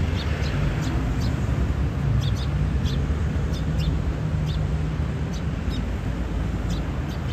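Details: Sparrows filmed on 8 April 2022, chattering persistently. Brief high chirps repeat irregularly in quick clusters, partly masked by a strong, constant low-frequency roar of traffic or wind.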